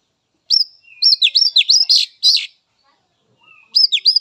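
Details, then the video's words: Oriental magpie-robin from the wild, sung as therapy to prompt untrained, young spotted or non-singing captive birds. Quick series of piercing whistled notes dipping and rising, some buzzy, a pause with a thin whistle, then the phrase resumes. "Suara Khas Kacer Alam"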